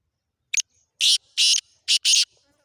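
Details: Black francolin, locally kala teetar, calling loudly: a short clipped note, then a rapid series of harsh, grating bursts, two paired, in a rhythmic phrase, against silence.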